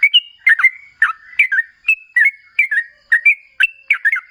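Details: Sooty-headed bulbul lure song for drawing answers from other bulbuls: roughly nine short, clear, liquid whistled phrases, each of two or three notes, spaced about half a second apart.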